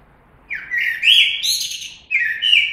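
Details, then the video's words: Common blackbird delivering a fluty whistled phrase ending in a high squeaky twitter, then a brief pause before a second mellow whistled phrase starts. "Κότσυφας. Blackbird Song & Calls"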